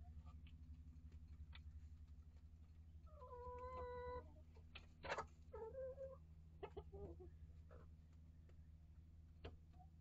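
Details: Chickens in a coop and run with one-year-old Rhode Island Red, Barred Plymouth Rock and Light Brahma hens plus young chicks: a drawn-out tonal call rising then holding steady, with scattered short clucks and scuffs over a constant low hum.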